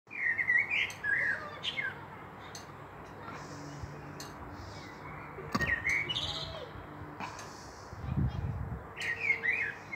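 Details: Common blackbird singing in Meschede, Germany, on 18 May 2021, a fieldfare pair nearby: mellow fluted warbling phrases near the start and end, each ending in thin high twitters, with a quieter pause between and a steady low hum underneath.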